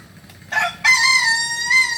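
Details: Solok Kukuak Balenggek cock starting to crow: a short harsh opening note, a brief pause, then a strong, steady, level-pitched harmonic crow held for over a second.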